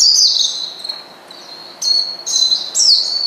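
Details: Oriental white-eye calling a rival to provoke it, giving high slurred whistles and sharp chirp bursts, a loud opening phrase followed by a quieter steady note and then three bright bursts.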